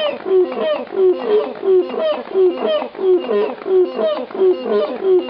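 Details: African cranes at the Los Angeles Zoo on 14 September 2016 call together in a steady run of rich, nasal honking notes, each dipping slightly in pitch, a little more than once a second, voices overlapping.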